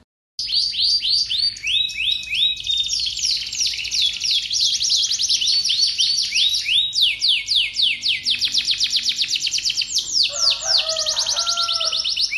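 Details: Canary in long continuous song meant to set other canaries singing: fast rolling trills and rapid series of high, sharply falling notes that change speed from phrase to phrase, with lower warbling near the end.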